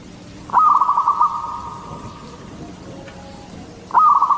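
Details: Singing local zebra dove, Katuranggan Cendolo Sabdo type, used as a lure for others of its kind: one rattling burst of fast cooing notes with a trailing held tone, then a second burst beginning near the end.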